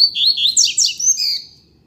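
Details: Energetic two-second phrase from a coleiro of a pair on the street: quick, high, sliding whistles and chirps run together into a bright warble that fades out.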